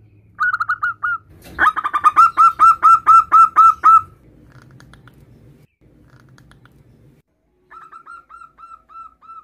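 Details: A male zebra dove, a local perkutut, calls to its mate with a rapid run of soft, high, bubbling coos, about four per second, then a shorter repeat after a pause, over a low hum.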